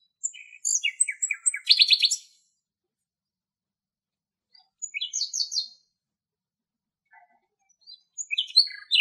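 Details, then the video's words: Common nightingale singing in Greek nature, giving three separate phrases with pauses between: a jumble of sharp whistles and rattling notes, then a shorter burst, then a final high sliding phrase; quiet surroundings. "Αηδόνι Αηδόνια Κελάηδημα - Common Nightingales Fantastic Song"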